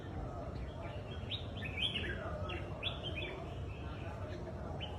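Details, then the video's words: Competition-stand singing by a red-whiskered bulbul in the kích ché style: clear, loud whistled phrases, some sweeping upward and others falling, with short pauses between them and a steady low hum behind. "Chào mào đấu giàn kích bổi sổ giọng kích ché bird singing"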